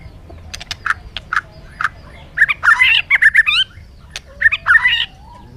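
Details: Bird calling: a few spaced harsh notes, then rapid bursts of squawky, chattering notes in two clusters, with quiet gaps between.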